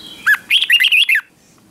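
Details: Red-whiskered bulbul trained to sing in the morning gives one short, bright phrase of five quick warbled whistles lasting under a second.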